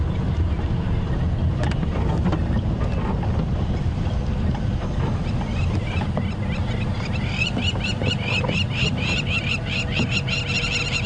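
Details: On a misty, foggy sunrise morning at Arathusa, plovers go ballistic with sharp, rapid, repeated alarm notes at a passing female, Kwatile, who is avoiding nearby lions. The calls build in the second half over a vehicle engine rumble and some wind.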